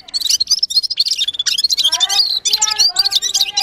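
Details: Red-fronted serin singing: a dense, fast, high jingling twitter of sharp notes and short trills, with lower harmonic tones joining in the second half.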